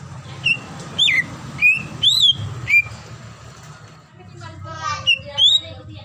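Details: Greater green leafbird female calling a male: loud sliding whistles, some rising and some falling, given irregularly about twice a second. Faint rumbling of vehicles and a brief chattering burst lie underneath.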